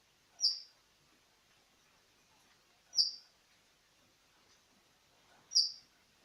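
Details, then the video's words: Siberian thrush song meant to coax young birds into singing: three short, sharp high-pitched notes repeated roughly every two and a half seconds, with a soft hiss of background noise between them. "Pancingan Suara Burung ANIS SIBERIA ( Thrush Bird ) bakalan.Agar mau buka suara bakala"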